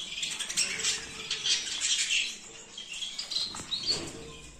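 Zebra finches keep up a busy, high chatter of short chirps and nasal notes, with a louder call near the end and soft wing flutters throughout.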